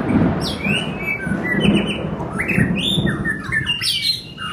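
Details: White-rumped shama during form building, giving clear whistled phrases and rising slurred notes over a steady low rumbling background noise.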